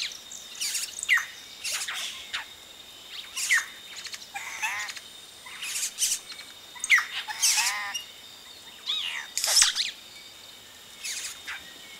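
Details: Yellow-rumped cacique chicks heard close up as adults reach the nest; twelve seconds of repeated loud bursts of shrill chatter, harsh rasps and ringing harmonic notes, separated by brief pauses, with other birds in the background.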